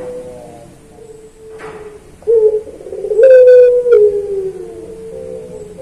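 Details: Puter pelung turtle dove used as a training recording for songbirds: one soft, level coo, then a louder long coo rising briefly before falling, with a short rattling burst over it.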